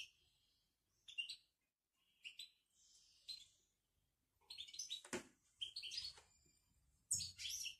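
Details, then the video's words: Moroccan goldfinch bitbita twittering: scattered short chirps early, then livelier tinkling bursts; a sharp knock or click sounds midway. "بتبتة الحسون المغربي"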